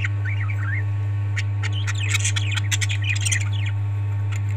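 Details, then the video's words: Parrot calls: a few wavering, whistled notes that rise and fall, then a busy run of sharp, high chirps and short squawks, with a constant low hum behind. "Parrots 🐦 Sound"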